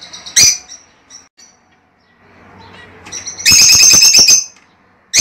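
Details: Lovebirds kept as a caged pair, calling for mating and breeding: an isolated shrill chirp, a quiet stretch with faint rustling, then a loud burst of rapid screechy chirps.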